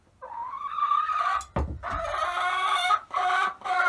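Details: Chickens in a coop that has just been given new nesting boxes, some hens still laying elsewhere; a drawn-out, nasal, harmonic squawk held for over a second, a sharp thud, then more wavering calls in short bursts.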